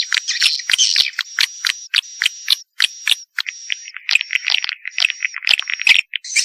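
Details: Swiftlet mating call used to attract swiftlets: dry, clicking chirps and buzzy high trills in irregular bursts, with short gaps between rattling phrases.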